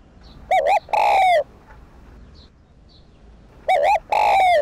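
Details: Spotted dove (cu đất) cooing to stimulate decoy doves in Vietnam: a pair of short clipped notes, then a long drawn-out coo sliding slightly downward, the phrase heard twice with quiet gaps between.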